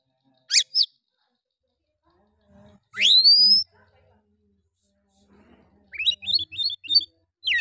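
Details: Oriental magpie-robin, used to provoke rival males: two sharp high notes, a long rising whistle, then a quick run of chattering repeated notes.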